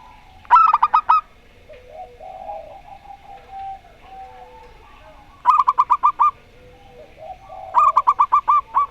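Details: Local zebra dove singing in the Rondo Semoyo style, heard against a zebra dove with an odd voice: three bursts of quick, clipped cooing notes, about six per phrase, with soft low murmuring coos between.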